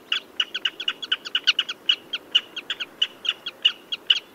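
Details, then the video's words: Common redshank calling in a rapid, jittery sequence of short high notes, about two or more per second, over low steady hiss. "Tiếng Chim Choắt Chân Đỏ"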